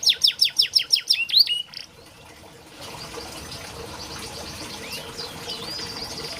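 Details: Canary song used to train and stimulate canaries that are slow to sing: a quick burst of repeated descending whistled notes for under two seconds, then faint distant chirps over background hiss.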